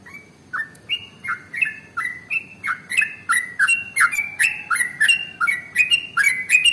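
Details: Rapid 'ropel' singing of a male trucukan (yellow-vented bulbul), a lure for other birds: crisp chattering notes that fall then jump upward, packed closely, steady and loud, with soft background hum.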